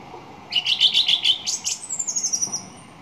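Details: Song thrush gives a rapid run of repeated, rattling notes, followed by a thin, high, slurred whistle trailing away.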